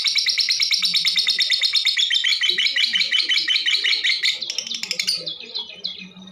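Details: Female lovebird, used to prompt other birds to sing, pouring out a fast, dense stream of harsh high chattering notes that slows into scattered squeaks and clicks over the last second or two.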